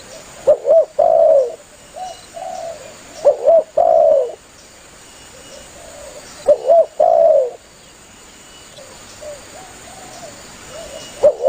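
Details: Spotted dove cooing loudly to call its companions, played as a hunting lure: three bursts of low coos, each a quick double note then a drawn-out falling coo, separated by quieter distant coos.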